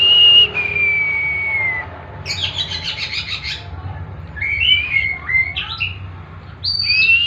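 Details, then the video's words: Oriental magpie-robin (kacer) singing: long clear whistles sliding gently downward, bursts of buzzy chattering notes, and short rising whistled phrases, with a low steady hum underneath. "Tembakan burung kacer"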